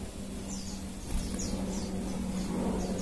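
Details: Crimson sunbird sounding as a lure so other birds answer: quick run of high, thin downslurred notes repeated several times a second above a steady low hum and noisy background.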